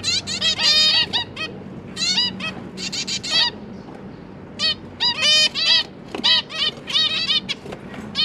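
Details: Captive zebra finches, a pair of parents busy feeding their three newly fledged juveniles, recorded 31 October 2022; dense bursts of short nasal, harmonic beeping calls, often several in quick runs, separated by brief pauses over a soft low hum.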